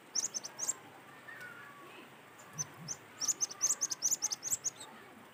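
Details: Cinereous tit in a natural recording, used as a lure to get other cinereous tits singing: clusters of short, very high, sharp notes, rapid and uneven, one burst near the start and a longer run in the second half, over faint background hiss.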